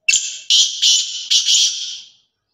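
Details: Black francolin in Sindh, Pakistan, calling loudly: a harsh, buzzy phrase of four rasping syllables, the later ones drawn out, lasting about two seconds and trailing off, with no other sounds.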